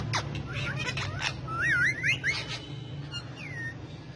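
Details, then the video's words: Tame male ringneck parakeet, a talking and dancing pet among several parrots, gives a wavering, looping whistled phrase with shorter chirps and scratchy rustling noises, ending in a slurred falling whistle, steady low hum underneath. "Cute Talkative Parrots Speaking And Dancing So Lovely"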